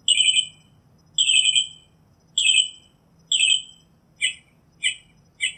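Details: Northern Mockingbird in song: drawn-out buzzy chirped phrases repeated about once a second, then a switch to short, clipped notes at a quicker pace, with faint low hum.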